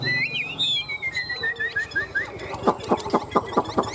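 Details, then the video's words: Fighting song of a caged Chinese hwamei from a tame pair: clear whistled notes sliding up and down in a loose series, then a run of harsh broadband bursts repeated about every quarter second. "Chim họa mi hót đấu"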